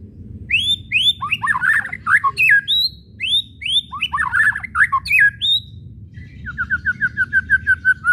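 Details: White-rumped shama song meant to provoke shamas: two phrases of rising whistles mixed with busy chattering notes, then a fast run of about a dozen short, evenly repeated descending notes.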